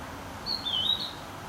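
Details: Blue-and-white flycatcher recorded on 2 May 2013: one short clear whistled phrase, a high note sliding down into a steady, slightly wavering tone, over a faint background hiss.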